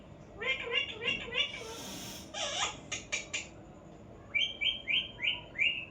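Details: Parrot utters a rapid string of short, nasal notes, followed by a burst of rustling noise and sharp clicks, then five evenly spaced rising squawks repeated about every half second.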